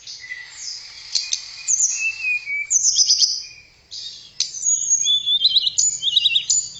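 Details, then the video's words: Blue flycatcher (tledekan) song meant for training other songbirds: high, clear whistled notes with fast slurred phrases, and buzzy rattling trills in the second half, broken by a short pause near the middle. "Kicauan Merdu TLEDEKAN Keren Buat Mastro Voice Tledekan Gacor"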